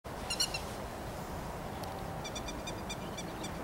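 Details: Grey-headed lapwing in rice paddies, 13 May 2021: a short burst of sharp, high, harmonic-rich notes, then a faint, rapid series of repeated clipped calls later, over a low background hiss.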